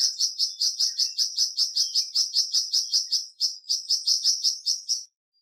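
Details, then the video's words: A steady five-second burst of sharp, high-pitched chirps from a flamboyan bird, evenly paced at nearly three per second, played to stimulate a kept bird to sing. "Terapi Cepat Bikin Burung Flamboyan Buka Paruh dan Gacor"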